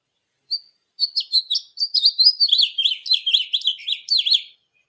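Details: A House Finch song played from a field-guide app: a lively, jumbled warble of quick high chirps and slurred notes lasting about four seconds, ending in a few buzzy downslurs.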